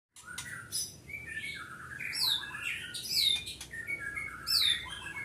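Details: Captive white-rumped shama at a breeding farm in Pati, Central Java, Indonesia, singing a rich varied song of clear whistled slurs, sharp upsweeps and rapid chattering notes, phrases tumbling continuously over a steady low hum.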